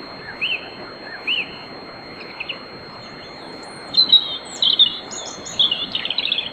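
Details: A European robin sings at night or before dawn in a riverside grove at Bóveda, Lugo: a couple of thin, arched notes, then quick bursts of high, liquid twittering phrases over a faint steady high-pitched hum.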